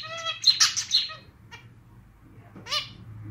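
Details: Male zebra finch kept as a pet, clarinet-style song: a clear harmonic tone, then a dense burst of buzzy notes, a pause with one short note, and a final rising nasal call over steady low background hum.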